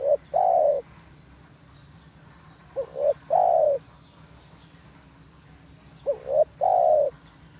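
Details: Repeated spotted dove song: about three phrases roughly three seconds apart, each with quick soft notes, a rising coo and a long, slowly falling coo. A faint thin high tone sits in the background.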